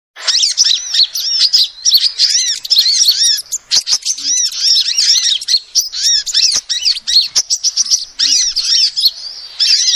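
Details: Female sunbird, original voice used as a trapping lure: dense, rapid chatter of high, sharp chirps and arched squeaky notes, nearly continuous with short breaks, plus scattered clicks.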